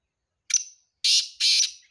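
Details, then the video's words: In Sindh, Pakistan, a black francolin gives a brief thin opening note, then two loud, harsh buzzy rasps, each about a quarter second long, in a clean, quiet recording. "Kala Teeter sindh Pakistan"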